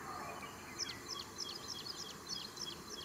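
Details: A little ringed plover at Amruthur Chikka Kere, Karnataka, India, gives a fast series of short, high, downslurred whistles, about three a second, over a steady low rushing background.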